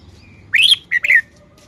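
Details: Red-whiskered bulbul showing off its song phrasing: a quick burst of four bright, slurred whistled notes, the first rising and the later two dipping, over a faint low hum.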